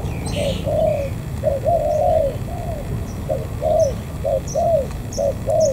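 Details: Spotted dove, a wild-caught native bird from Vietnam's An Giang border area, coos in bursts of soft, slurred, downward-curving notes, some drawn out, with brief high chips from other birds.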